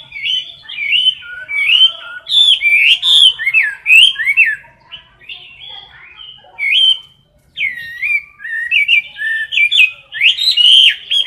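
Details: Chinese hwamei kept in a cage, close-up competition singing: dense, varied warbled and whistled phrases tumbling quickly, with a short lull before another energetic burst of looping notes.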